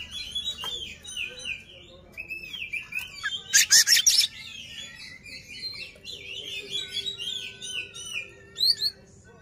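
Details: Oriental magpie-robin singing with tail spread to provoke an opponent; a busy run of wavering whistles and chattering notes, broken by one loud harsh buzzy burst near four seconds, over a faint low hum.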